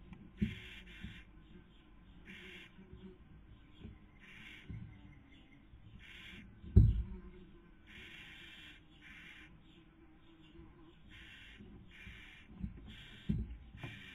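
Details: Barn owls at a nest webcam in Cabañeros National Park, Castilla-La Mancha, Spain, 2020 breeding season, female feeding while the male tries to sleep; about ten harsh, breathy hisses, each under a second, with a loud thump midway.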